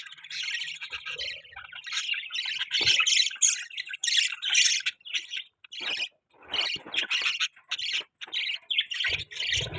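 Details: Budgerigars giving mating sounds, a dense, harsh warbling chatter of squawks and rapid chirps in near-continuous bursts, briefly pausing between phrases.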